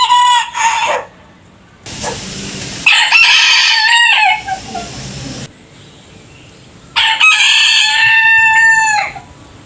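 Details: Several rooster crows: a short clipped crow, a long, ragged crow with a noisy low background, then after a quiet pause a clear, bright crow about two seconds long.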